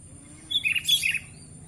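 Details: Tame sooty-headed bulbul giving a quick burst of bright, liquid whistled notes, four or five slurred phrases packed into under a second over a quiet low hum.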